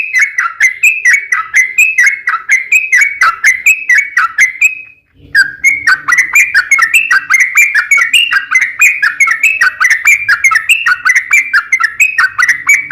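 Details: Sooty-headed bulbul singing at length as a lure so other bulbuls start singing. Continuous fast sequences of slurred whistled notes, rising and dipping in rolling phrases, with one brief break near the middle.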